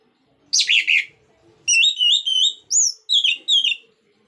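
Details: Song of an orange-headed thrush in 'ngeplong' style, used to stimulate other birds to sing: a short, harsh, buzzy burst, a pause, then flowing whistled phrases with quick up-and-down slurs.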